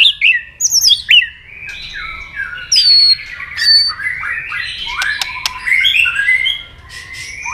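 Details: White-rumped shama singing to provoke a rival, with tail-flick clicks: high descending whistles open, followed by harsh squawky notes, clicks and a chattering warble.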